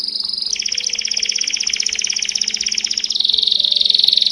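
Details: Powerful, melodious Belgian canary song, a sustained rapid rattling trill held for about three seconds before dropping into a lower, buzzier trill, with a faint steady low hum underneath.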